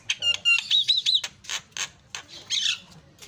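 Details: Javan myna in loud song used as a provocation for non-singing mynas: clear whistled phrases mixed with buzzy, grating notes, followed by several harsh rasping bursts and a final squeaky slurred call.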